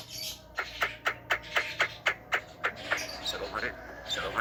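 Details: Javan myna known for talking, heard in a recording used to provoke rival mynas: quick, harsh clicking notes repeated about four times a second, fading into softer scratchy chatter.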